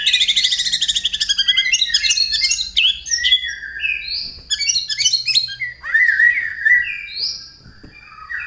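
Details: White-rumped shama singing in fighting mode with sparrow-like material in its repertoire: a loud, rich stream of rapid repeated notes, then varied whistles, swoops and trills in quick succession.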